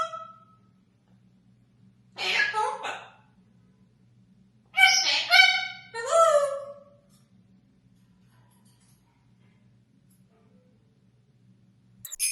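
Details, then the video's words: Talking Congo African grey parrot mimicking human voices, giving three harmonic, voice-like bursts between about two and seven seconds, then long quiet with a low background hum and a final short sound at the end. "Funny Talking Grey Parrot"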